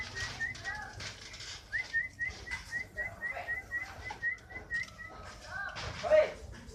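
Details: Fighter canary song of rapid, even whistled chips in a steady series, fading into softer notes and ending with a louder burst of noise.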